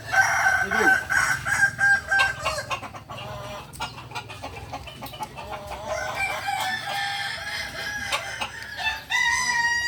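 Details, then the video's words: Kukuak balenggek rooster crowing at a Sunday joint practice in Ampang Kualo: a held harmonic note at the start, then a longer stepped crow later, over clapping and crowd noise from the gathering. "ayam kukuak balenggek"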